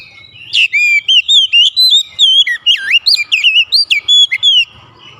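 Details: Oriental magpie-robin pouring out a continuous chain of melodious whistles, each note bending or looping, about four seconds of lively song.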